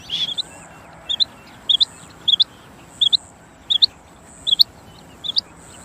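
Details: Rain quail giving a steady series of crisp, high double-note calls, roughly eight paired notes spaced about two-thirds of a second apart, with a faint steady hiss behind them.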